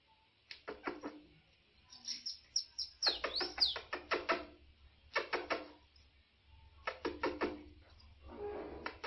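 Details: Caged mutation bananaquit singing in short bursts of rapid, high, sibilant chattering notes, several phrases separated by brief pauses, with a faint voice in the background.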